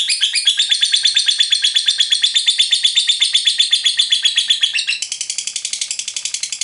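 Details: Lovebird song used to prompt other lovebirds into long chattering, 'ngekek panjang': a long, rapid, buzzy chatter of evenly repeated high notes, around three per second, shifting to a quicker, drier rattling pulse near the end.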